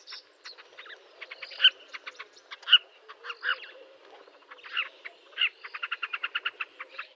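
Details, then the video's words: Southern carmine bee-eater in Kruger National Park, South Africa, where it visits in summer and gathers in large flocks; short clipped trilled calls and sharp notes, bursts irregular then a fast even series near the end, faint low hum beneath. "Southern Carmine Bee-eater (Merops nubicoides) Bird Call"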